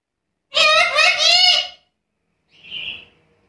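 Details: Black-capped lory producing a harsh, wavering, speech-like chatter of about a second, followed by a softer short whistle.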